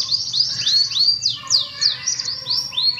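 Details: Canary song for stirring up canaries that seldom sing or only chirp: varied clear whistled notes, some swooping down, others curving up, in quick separate phrases over a faint low hum.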